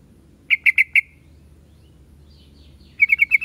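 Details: Yellow-vented bulbul singing: a burst of four bright, evenly spaced chirping notes, a pause, then a second quick run of five similar notes, all at steady pitch over quiet background.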